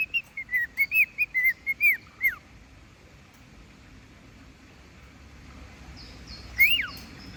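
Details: Cockatiel (Nymphicus hollandicus), whistled song.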